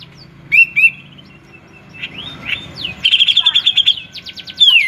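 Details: Grey-cheeked bulbul, said to sing freely and like ant pupae; two rising whistles, softer upslurred notes, then a fast run of about ten repeated whistled notes and a final loud rising phrase.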